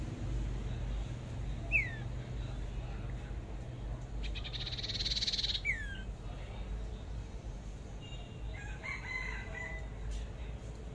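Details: A trapped red-headed flowerpecker gives a few thin, high, downslurred tsip notes spaced seconds apart, with a brief buzzy burst and soft chatter over a steady low rumble.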